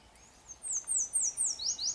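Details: Yellow warbler singing at Drumheller, Alberta, Canada: a quick run of thin, very high, sweet slurred notes, each sliding downward, about five in under two seconds, over a faint background hiss.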